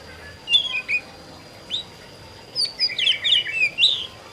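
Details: Oriental magpie-robin in 'ngerol' song: a few bright whistles, a pause, then a quick cluster of ringing slurred notes and a short buzzy trill, set against a faint steady tone.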